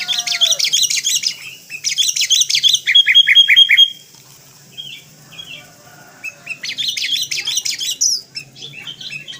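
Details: Kutilang kapas, a sooty-headed bulbul, in loud full filler-phrase master song: dense bursts of high chattering twitters, then a run of clear repeated whistled notes, a pause with soft calls, and more rapid chattering bursts.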